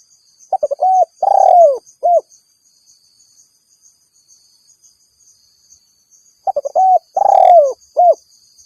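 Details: Rival-calling spotted dove, sound meant to lure wild doves: two full phrases, each opening with rapid stutters, swelling into a long vibrating coo that slides down, ending in a brief clipped coo; steady faint hiss.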